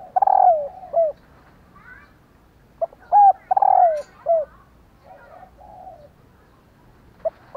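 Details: Female spotted dove calling to stir males into cooing, giving two full phrases of clipped notes followed by a long tremulous falling coo, with a quieter muffled phrase between them and the start of another at the end.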